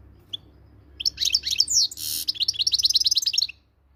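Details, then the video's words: Moroccan goldfinch singing a fast, high twittering phrase of varied slurred notes, interrupted by a brief noisy burst, then a rapid run of short chirps ending after about three and a half seconds. "صوت الحسون المغربي"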